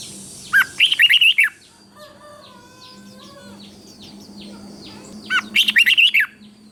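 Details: Southern master-style song of a caged red-whiskered bulbul in Thailand, used to rouse other bulbuls: two brisk phrases of warbled whistles with a buzzy, humming tonal sound and light chirps between them.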